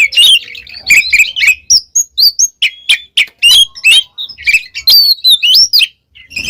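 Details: For training pet birds, an oriental magpie-robin delivers a varied song of clipped chirps, clear whistles and looping slurred notes in quick, uneven bursts.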